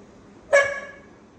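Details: Australian magpie mimicking a dog's barking: one sharp, harsh bark with a loud onset, stacked harmonics and a quick fade lasting under half a second, against a quiet background.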